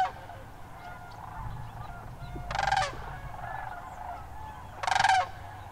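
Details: Sandhill cranes at Hiwassee Wildlife Refuge, Birchwood, Tennessee, January 16, 2013: two loud, close, harsh rolling rattles about two seconds apart stand out over a quieter murmuring flock chorus.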